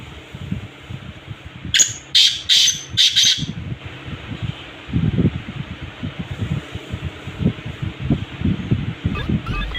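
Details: Black francolin calling: a brief run of about four harsh, buzzy, high notes packed into under two seconds, then low rumbling handling or wind noise fills the rest.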